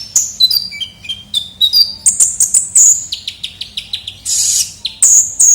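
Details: Kolibri ninja sunbird, lively lure sound for attracting birds: descending stepped whistles, then ringing very high level notes and a run of quick repeated chirps.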